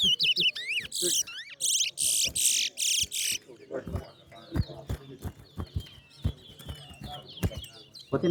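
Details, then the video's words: Seed finch known as towa-towa competing in a singing race at New Amsterdam bird ground: about three seconds of rapid, loud buzzy bursts and twisting whistles, then people talking and knocking sounds with thin background chirps. "TOWA TOWA BIRD RACE"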